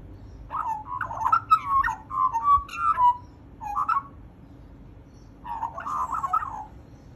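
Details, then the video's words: A magpie chatters in a run of warbled, gurgling phrases with whistled slurs lasting around three seconds, then a brief quieter gap and another bubbling burst, with faint steady background hum. "Chat with a Magpie"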